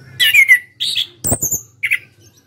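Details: Captive national champion orange-headed thrush in ngeplong style: loud descending whistled slur, buzzy warbles, a rattling click series under thin high whistles, and a final short chirped pair.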